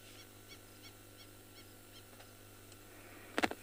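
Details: An African Wattled Lapwing near water at sunset, around 6:10 pm on 3 September in a flood-prone area, gives faint, sharp, high piping notes about three per second. Egyptian geese are also calling, and a brief loud knock or rustle comes near the end.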